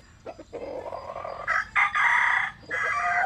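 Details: Bantam chicken of the Japanese and Cuban type, sunbathing, crowing: a rough, broken crow of several harmonic-rich bursts, the loudest and longest toward the end, with faint clucking before.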